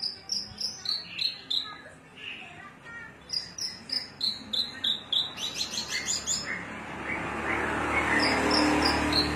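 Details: Javan bush lark, Cilacap type, singing cing ciu: rhythmic high falling whistles in series, a rapid chatter, then faint whistles under rising background noise.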